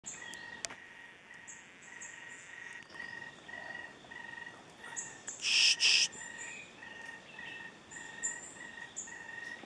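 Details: Undescribed endemic tapaculo (Alto Pisones/Tatamá Tapaculo) near Apia, Western Andes of Colombia, giving a steady series of rapid, mid-pitched repeated notes, with high insect buzzing behind and one loud brief noise burst midway.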